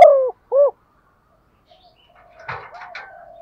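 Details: Female spotted dove calling to rouse males: two loud arched coos at the start, followed by faint fluttering and soft background noise.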